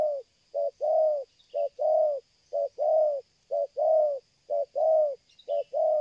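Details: Spotted dove used for luring, cooing without pause in the stuttering 'selang gagap' manner: a very regular rhythm of a short coo then a longer rounded coo, about once a second, with a faint chirp from another bird.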